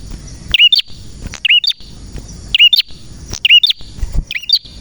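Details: A male red prenjak (prinia) sings vigorously, sharp high chirping phrases, each a quick twisting double note, repeated about once a second against faint low background hum.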